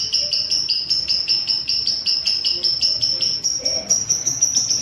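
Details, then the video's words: Lovebird chatter meant to set up caged birds for longer ngekek: shrill, rapidly pulsing high trill, dense and steady, with a faint lower squeak near the end. "Suara burung love bird untuk setingan"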